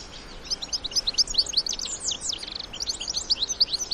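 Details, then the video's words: Bright, fast twittering from wild European goldfinch adults with young: evenly spaced high chirps run in quick series, with a short pause midway before the chirping resumes. "الحسون وصغاره في الطبيعة مع تغريد وبتبتة خلوية"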